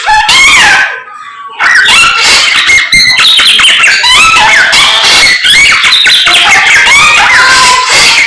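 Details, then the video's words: Samyong singing energetically in the morning: a dense, loud stream of varied whistles, sliding notes and harsh chattering phrases, with a brief quieter pause near the start. "SAMNYONG GACOR Menggemaskan DI PAGI HARI"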